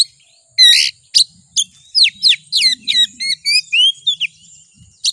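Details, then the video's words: Kacer, the Oriental magpie-robin, in a lure song meant to provoke singing: a lively, rapid sequence of varied whistles, downslurs and buzzy notes about four times a second, over a constant high whine. "Suara Pancingan Kacer Agar Cepat Emosi Gacor ! Pancingan Paling Ampuh Buat Menaikan Emosi Kacer"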